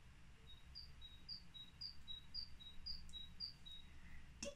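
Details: Great tit (Parus major) song: a high, squeaky two-note 'teacher' phrase, repeated six times at an even pace, like someone pumping up an air bed, over a low background rumble.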